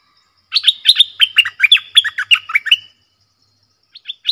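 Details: Red-whiskered bulbul in a clear 'double' lure song: a fast burst of about a dozen lilting, whistled notes over two and a half seconds, then a pause and a few notes starting again.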